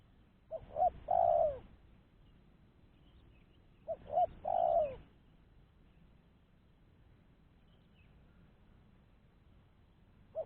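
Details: Spotted dove cooing for luring other doves: two full phrases of short, short, long descending coo about three seconds apart, then silence and the start of a third note at the end.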